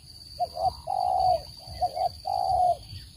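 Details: Spotted dove trapping call with a pure voice: brief low coos, a quick double note then a long level hoot, repeated twice, over a faint steady electronic tone.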